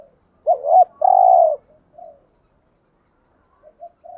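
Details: Spotted doves, male and female, used as a lure to draw wild doves, in 'thúc gù' and 'gáy gọi' cooing styles; a quick wavering double note then one loud sustained low coo, followed by soft faint coos.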